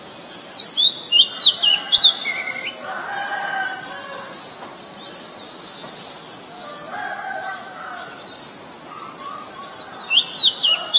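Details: Very common resident Oriental magpie-robin in Ubon Ratchathani, Thailand, 23 December 2019, Nikon P1000 recording: bursts of rapid, bright whistled notes rising and falling, separated by a pause in which roosters crow faintly.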